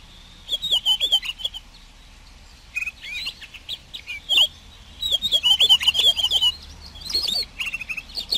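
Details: Pine grosbeak of northern coniferous taiga forest giving warbled, twittering phrases of fast rising and falling notes, in bursts separated by brief pauses.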